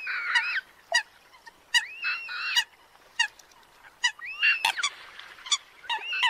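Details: Eurasian coot lure recording for bird trapping, said to be tested on birds in northern Vietnam: nasal honking calls broken by sharp, explosive 'pitt' notes, repeated every second or so.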